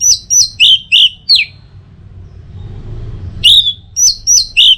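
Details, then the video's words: Orange-headed thrush from North Bali, Singaraja, used as a training and prompting song of the teler style: loud whistled notes sweeping down, with a five-note run, a pause, then another burst of four phrases. "Masteran sekaligus Pancingan Burung ANIS MERAH Agar Selalu Bisa Menikmati Telernya setiap saat"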